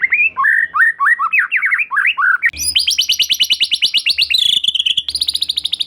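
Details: White-rumped shama (murai batu) in vigorous 'gacor' song used as a lure to make an untrained shama sing: varied slurred whistles, then a fast run of bright repeated high notes and a sharp chattering series.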